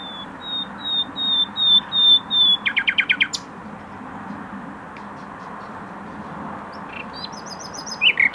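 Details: Common nightingale singing in a garden in Tokat, Türkiye: a run of pure, level whistles, then a fast rattling trill, a pause, and a few sharp chirped phrases over a soft background hiss.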